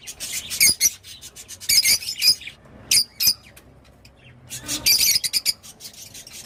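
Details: Sparse, sharp squawks and squeaky chips from a rosy-faced lovebird, given in clusters with quiet gaps between them.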